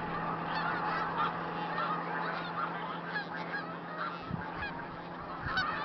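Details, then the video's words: Flock of about 3,000–4,000 snow geese with Canada geese and mallards in a field on Route 34B, Tompkins County, New York, 20 December 2009, some leaving and arriving: constant overlapping din of nasal, yelping honks over a low hum. "Snow Geese medley"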